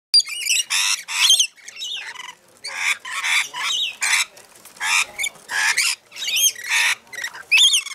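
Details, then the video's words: A feeding frenzy of Rainbow lorikeets at Mount Tamborine, Queensland: continuous harsh, grating screeches from several birds, overlapping with shrill chattering and squawks nearly every half second. "Rainbow Lorikeet Feeding Frenzy"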